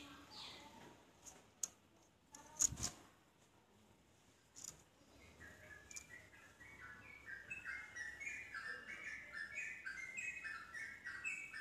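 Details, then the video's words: Yellow-vented bulbul song meant to set off other bulbuls singing: a few scattered clicks and taps at first, then from midway a building run of bubbly whistled phrases that grow louder and denser toward the end. "respon cepat untuk Trucuk bahan macet langsung terpancing nyaut ikut nropel"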